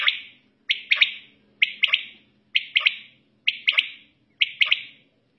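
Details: A quail at night, possibly several together, gives a sharp three-note call, one short note then two quick ones, about once a second; a person's voice is heard nearby.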